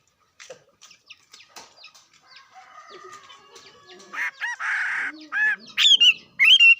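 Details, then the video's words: Bird giving a soft, scattered mix of chips and low chatter, then loud whistled notes and a few rising-falling slurred phrases repeated toward the end. "Coob quaj zoo heev li"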